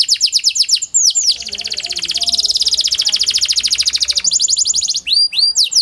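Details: Panda canary lure song aimed at getting lazy canaries singing: crisp descending notes give way to a very fast, dense trill, ending with loud upward-sweeping slurs.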